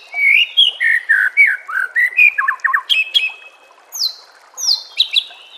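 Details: White-rumped shama master song for training caged birds: rich run of varied whistled and harsh notes, quick triple chips, then high sweeping notes spaced apart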